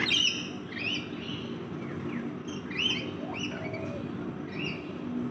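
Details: Backyard rainbow lorikeets feeding, giving a series of short, shrill arched screeches spaced about half a second apart, with a steady low hum underneath.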